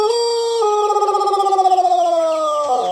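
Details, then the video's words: Pelung rooster from Plered, Purwakarta, holding a long crow: a sustained note with a throbbing, wavering quality through the middle, sliding gently lower, then breaking off sharply near the end. "Kompilasi Suara Ayam Pelung Plered (A.P.P) Istimewa"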